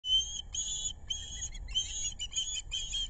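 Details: Adult female osprey calling at a nest with two chicks on the Narrow (Pettaquamscutt) River, South Kingstown, Rhode Island, bringing fish on 6 August 2022; a webcam records short high whistled chirps repeated about twice a second over low rumbling background noise.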